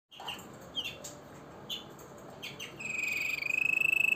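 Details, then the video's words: Harz Roller canary singing, starting with scattered short chirps and ending in a long, steady, rapidly pulsed roll that grows louder over the final second and a half. "Harz Roller singing"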